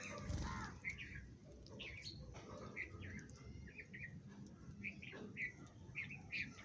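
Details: Sparrows calling while eating food: short, bright chirps repeated in loose clusters, sometimes doubled, over a steady low rumble of background noise.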